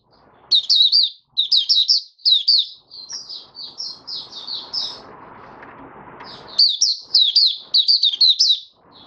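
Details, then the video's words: An oriental white-eye kept caged sings five days after monthly deworming, January 2022; clipped bursts of high, rapid, slurred chirps, a softer run of quieter notes amid a rustling noise, then loud twittering phrases again. "Mata Puteh Raja Video 1 buka sing"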